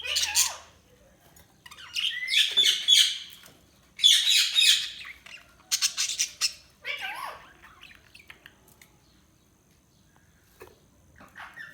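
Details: Budgies chirping in separate bursts of harsh squawks and chattering warbles, a few seconds each, separated by near-silent gaps, then fading to a few soft chirps at the end.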